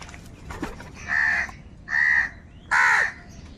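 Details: Crow giving three loud, harsh, drawn-out caws spaced roughly a second apart, each a rough buzzy note, with faint chirping of small birds in the background.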